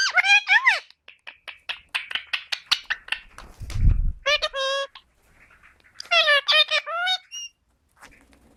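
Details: Pet green Indian ringneck parakeet talking, mimicking speech in quick squeaky word-like bursts, with harmonic whistled phrases sliding up and down and a brief low thump.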